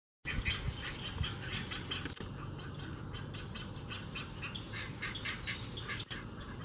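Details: A great egret mother feeds her demanding fledglings at Magnolia's Audubon Swamp Garden, Charleston SC, on 13 May 2018 (Mother's Day). The fledglings give a fast, harsh, ticking chatter of repeated squawky notes over a steady low rumble.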